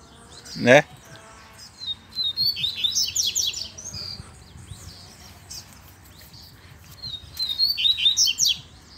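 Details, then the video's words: Double-collared seedeater in the wild bush, lured in, gives two bursts of rapid high twittering and slurred chirps separated by a pause, after a brief sharp knock at the start. "COLEIRO NO MATO TOP ATÉ FILHOTE PIANDO APARECEU!!!"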